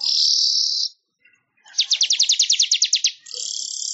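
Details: Weaver (manyar) singing, recorded as tutor material for songbirds: a long hissing buzz, a short pause, then a rapid series of around a dozen sharp repeated notes flowing straight into another sustained sizzle.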